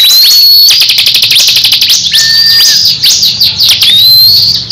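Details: Crescent-chested babbler (ciblek kristal) in a heated duel with another bird: a long fast ticking rattle, thin rising whistles, and a brief lower whistled note.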